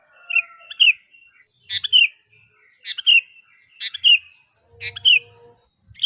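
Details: Sooty-headed bulbul calling to lure other bulbuls into responding: bright downslurred chirps roughly once a second, with faint steady tones and soft low thumps in the background.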